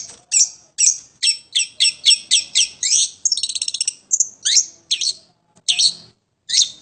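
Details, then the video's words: Home-kept long-tailed shrike singing actively: a fast series of harsh, high chattering notes, each a short burst, with a brief rapid trill near the middle and short pauses between phrases. "burung pentet / toed gacor rumhan"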